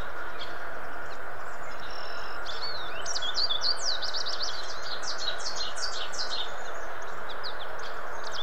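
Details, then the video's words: American goldfinch song from southern Ontario: a lively string of rapid, high twittering notes, some slurred and some clipped, spilling on for several seconds against constant broadband hiss. "American Goldfinch Singing Song"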